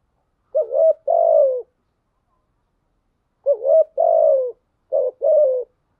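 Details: Lure spotted dove cooing to excite rivals into calling, giving three mellow phrases with pauses, each a brief warbled upslur then a sustained gently falling hoot, the last phrase shorter.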